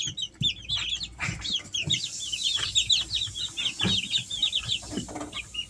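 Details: Easter Egger chicks, three weeks old, giving a busy run of short, high peeps and chirps. The notes overlap and repeat rapidly throughout, with soft low thumps and scratching sounds underneath.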